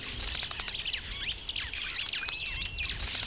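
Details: Superb starling in Kenya, producing a continuous tangle of sharp chirps, squeaks and short whistled slurs, fast and irregular throughout.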